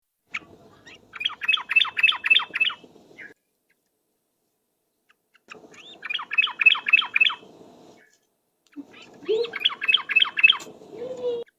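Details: Yellow-vented bulbul lure recording in the rapid ropel style: three bursts of fast, regular chattering notes, about four per second, separated by short silences, over a faint low hum.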